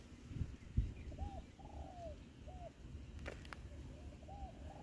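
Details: A wild Spotted Dove answering a decoy bird gives soft, rounded coos in short arched notes, repeated several times over a few seconds, against low rumbling background noise and a couple of sharp clicks.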